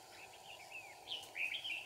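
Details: Red-whiskered bulbul sings during trapping in Kim Bôi, Hòa Bình, Vietnam. Quick chattering warbles slide up and down, and a louder, rising, fluty flourish comes in the second half, against a constant background hum.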